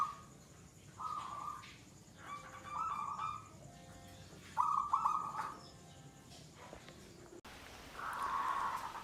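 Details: Zebra dove (perkutut), a local wild-type bird kept caged, giving gacor third-stage song, the long-bout singing of a settled, unafraid bird; short bright trilled coos come in bursts about every second, with a faint steady hum behind and an abrupt cut near the end.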